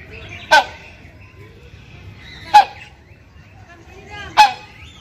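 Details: During the mating season a male hornbill calls to the female with loud, coarse honks, three in a row about two seconds apart, each sharp and ringing.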